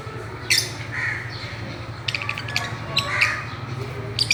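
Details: Fischer's lovebirds at play on a swing, letting out harsh, scratchy squawks mixed with shorter high chirps, irregularly spaced, over a low background hum.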